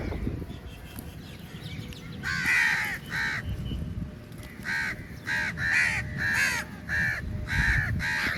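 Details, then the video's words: Crows crowding in to attack food at feeding time; after a quiet two seconds, a burst of loud harsh caws from several birds, irregular and overlapping, about a hundred a minute, over low rumble. "Very Large Number Of Crows Attack On The Food | Crow Feed Time | Crow Sounds Very Loudly"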